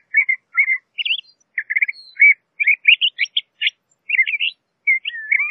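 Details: LeConte's thrasher delivers a rapid sequence of short chirps and slurred whistles, some in quick clusters, forming a lively, jumbled song with brief silences.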